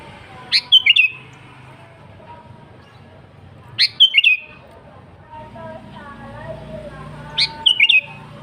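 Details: Lively natural sooty-headed bulbul song, free of borrowed phrases, played to draw in wild birds: three quick bubbly whistled phrases, each of three or four notes slurring slightly downward, repeated roughly every three and a half seconds, faint humming behind.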